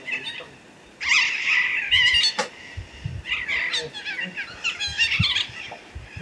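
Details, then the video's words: A pair of blue-winged macaws in flight over a wooded hillside foot in the Bahian sertão. Loud, grating screeches are repeated in quick series, with a man's voice speaking faintly beneath them. "MARACANÃ-VERDADEIRA (CASAL)"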